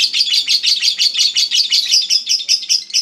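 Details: Lovebird, a champion of singing contests, delivering its ngekek chatter: a fast, high, buzzy string of pulses repeated about three times a second without pause, clean with no other sounds.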